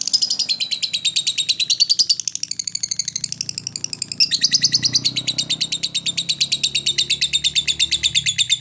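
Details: Lovebird giving ngekek, a long chattering song used to prompt other lovebirds to sing: rapid high buzzy trills repeated almost three times a second, running nearly continuously with slight shifts in pitch.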